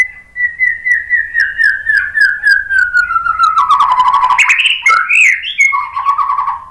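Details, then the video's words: Murai batu, the white-rumped shama, singing a lure song to provoke responses: a steady run of whistled notes repeated several times a second that slides gradually lower, ending in a burst of mixed chattering and warbled phrases. "suara MURAI BATU bikin cepat NYAUT jadi GACOR BONGKAR MATERI ISIAN ¦ PANCINGAN MURAI ¦ SHAMA BIRD"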